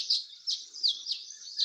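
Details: Violet-green Swallow giving light, high, thin chip contact calls about every half second over a faint background hiss, in April as the swallows were just arriving on spring migration.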